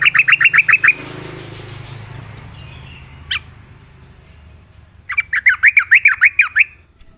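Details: Yellow-vented bulbul singing vigorously: a rapid run of about eight bubbly, bouncing notes, a lone sharp note after a pause, then a second livelier burst of warbled notes rising and falling, over a low background hum.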